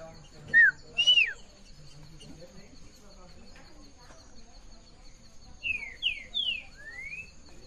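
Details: Green-winged saltator singing in the classic song style at Afonso Cláudio, Espírito Santo, Brazil, 13 June 2017, mid-afternoon. Two loud slurred whistles open, then four quick whistled notes sweeping down and up near the end, over a faint steady high tone.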